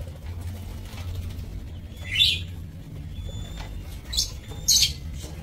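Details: Caged lovebirds in a breeding aviary on 30 May 2024 give a few harsh, buzzy chirps spaced about a second apart, with faint thin whistles between them and a steady low hum behind.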